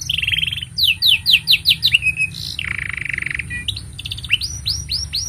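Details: Canary, a long song recommended for teaching young canaries: a buzzy trill, a series of loud descending sweeps, a low rolling rattle, then a run of rising slurred notes; low hum underneath.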